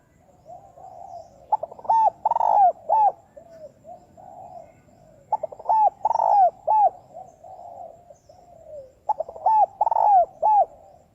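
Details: Decoy spotted dove used for trapping, calling in the fast "thúc bổi" style: phrases of soft coos rising into loud, ringing, arched notes, the phrase repeating about every four seconds in a quiet setting.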